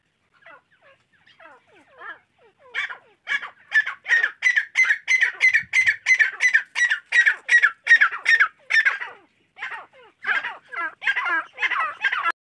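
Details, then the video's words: Young francolin (teetar chicks) calling loudly at close range: rapid, harsh, squawking notes that quicken to about three per second, then break into uneven, rougher calls. "teetar ke bacche | teatar chicks | francoline baby"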